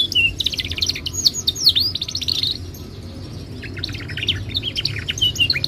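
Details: Timbrado canary song: bursts of rapid, high trilled notes and short downswept whistles, a quieter gap near the middle, then a fresh run of clipped repeated notes, over a low background hum.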